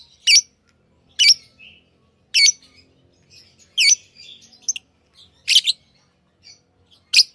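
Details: Tame pet lovebirds giving loud, shrill, squeaky chirps about once a second, with faint chattering in the gaps.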